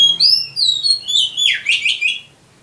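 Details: Oriental magpie-robin master song for prompting caged kacer to sing: clear high whistled notes repeated in quick succession, then a run of harsh descending rasps and chatter ending abruptly.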